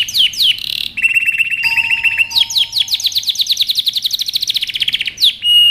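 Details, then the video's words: Male canary in mating excitement courting a female: sweeping chirps, a buzzy burst, a long steady rattling trill with a thin sustained tone, then a run of quick falling chirps and a closing whistle. "تغريد كناري هائج يجبر الانثى على اخذ وضعية التلقيح"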